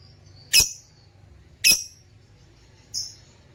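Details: Shrill squeaky calls from caged lutino opaline lovebirds: two loud, piercing chirps about a second apart, then a softer, thinner whistle-like note.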